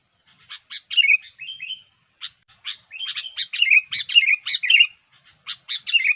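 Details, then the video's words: Lure song of a gacor sooty-headed bulbul for bird trapping: a fast jumble of sharp chips and slurred whistles, growing denser and louder in the second half, with almost no background noise. "SUARA BURUNG KUTILANG GACOR YANG SANGAT COCOK UNTUK MEMANCING PIKAT"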